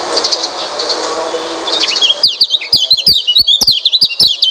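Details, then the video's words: Training song of an Oriental white-eye, meant to prompt a reluctant bird to sing. Soft hiss and scattered chirps give way to a lively, rapid chatter of high, sweet twitters, punctuated by crisp clicking sounds. "Coba masteran burung pleci ini | pancingan burung pleci malas bunyi"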